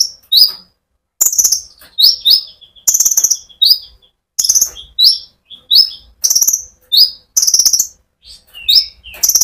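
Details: Sunbird singing steadily to rouse other birds: a fast series of high, sharp downslurred chirps in rapid bursts roughly every half second, with a brief thin sustained whistle early on.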